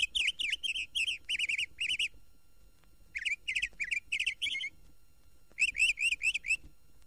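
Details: Northern Mockingbird in Florida (1969 record) singing bright, chirpy phrases, each note repeated several times quickly before switching to a new phrase, with short pauses between bursts.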